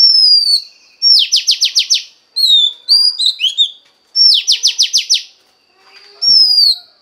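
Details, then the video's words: Female Oriental magpie-robin song used to stimulate a male: clear descending whistles alternating with bursts of six fast down-slurred notes, repeated twice, with a few twittering notes between. "Choè than mái kích trống hay nhất"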